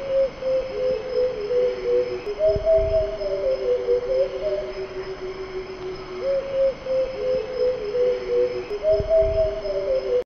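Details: A Bay Coucal, a cuckoo endemic to Indonesia, sings low, hollow hooting notes that slide and step downward in phrases about every four seconds, over a steady thin high whine. Its song often prompts nearby coucals to respond.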